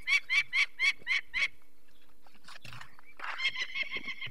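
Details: Peregrine falcon alarmed by people removing a chick from its nest in Poland's Barycz Valley, May 2023. Six sharp harsh cackles open, then a pause with scuffling and a lower, rougher burst of calling.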